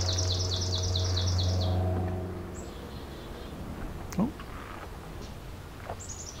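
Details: Black-capped Chickadee in Beverly Swamp, Flamborough, Ontario, on the summer solstice 2024 in breeding season, giving a quick run of about a dozen buzzy, high dee notes over two seconds, then thin high whistles, with a low hum and faint talking.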